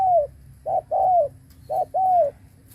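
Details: Spotted dove kept as a decoy bird, cooing to lure other doves: a low, mellow call of short and longer slurred notes. A brief note is followed by a longer falling coo, the pattern repeated about twice in under three seconds.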